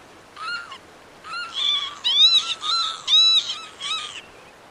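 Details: Northern lapwing song: a run of six slurred, nasal notes, each dipping then rising, delivered in short bursts with brief gaps, over quiet background.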